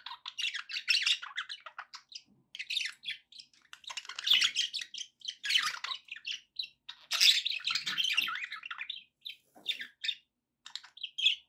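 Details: Pet budgerigars chirping to encourage a companion parrot to eat and sing: dense, busy warbling chatter of chirps and short squawks in bursts, several birds overlapping.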